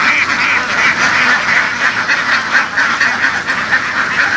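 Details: Field-herded laying ducks from western Vietnam quack in a loud crowded chorus, short nasal calls tumbling over each other in quick uneven bursts, with brief dips where the clamour thins for a moment.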